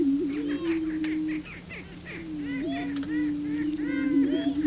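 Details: Male prairie chickens displaying on the booming grounds to attract a female: a steady low moaning hum held for over a second at a time, with chattering cackles and whoops above it.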